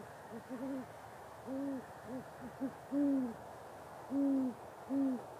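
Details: A great horned owl gives courtship mating calls: deep, soft hoots in an uneven series of short and longer notes, some doubled, over about five seconds.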